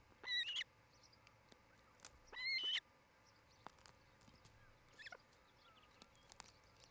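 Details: Osprey calling from a nest watched by camera in Charlo, Montana, in July 2018: two separate high whistled chirps about two seconds apart, each with a slight upward inflection, with faint rural background noise.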